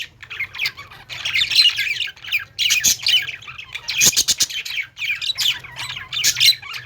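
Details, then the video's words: Caged budgies singing in a pet store, many birds at once: bursts of scratchy warbles and sharp chirps come in waves, with a few clicking taps, over a faint constant low hum. "budgies singing | parakeet chirping sounds in pet store"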